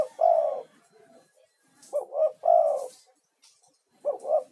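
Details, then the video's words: Spotted dove, male, in full voice as a lure bird summoning other doves, for soothing stressed caged doves; a long rolling coo, then a double note leading into another drawn-out coo, and a fresh double note beginning. "SUARA TEKUKUR GACOR UNTUK TERAPI"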